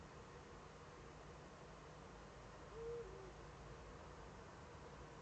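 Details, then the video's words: Eurasian eagle-owl pair calling in the Eifel on 7 April 2013 at 20:28, male at the nest; a single short, even hoot near three seconds, faint over steady broadband background hiss and low rumble. "Uhu Eifel 2013-04-07 20.28 Lotte und Heinzl rufen - Heinzl am Horst"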